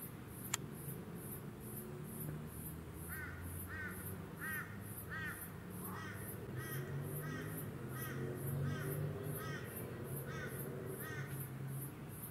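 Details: Eastern Koel male, Sunshine Coast, Queensland, February 2020: after a quiet start and a sharp click, about eight slurred, swooping notes come in a hurried series, with low droning hum and regular high pulsing buzz behind.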